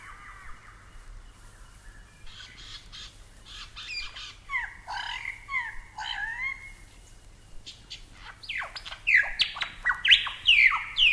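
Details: Superb Lyrebird from Australia, starting with a soft rising whistle, then harsh buzzy squawks and chattering phrases, building to loud, rapid, descending whistled sweeps at the end.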